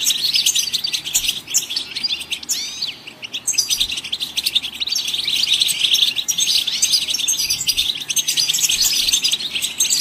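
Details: Goldfinches singing to stimulate other songbirds to sing: a dense, continuous high twittering of many overlapping chirps and short trills, with rapid buzzy notes and brief rising slurs, with no pause and little background.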